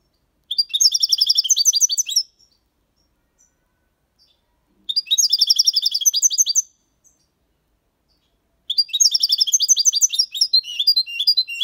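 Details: Malaga copy song of a six-month-old European goldfinch singing cleanly, featuring colios and quejas motifs with ornaments: three similar phrases of quick, liquid, buzzy chatter, each close to two seconds long, with quiet pauses between them.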